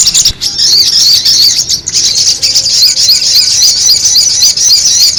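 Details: Sogon bird lure recording of a noisy bird. It pours out shrill, squeaky, tumbling twitters in an unbroken stream, with a short dip near the second second before the chatter resumes strongly.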